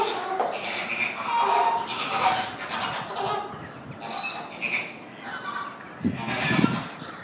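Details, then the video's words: A crowded flock of Chilean flamingos displaying in sync gives a steady chorus of overlapping nasal, goose-like honks and grunts, with no clear rhythm or pause. "Chilean flamingos display in sync."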